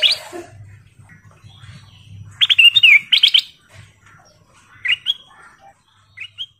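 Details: Sooty-headed bulbul (kutilang emas), a lure song used to get other birds singing: clear liquid whistled phrases of quick bubbling notes, a loud burst mid-way, then short fluty notes after pauses, over a faint low hum.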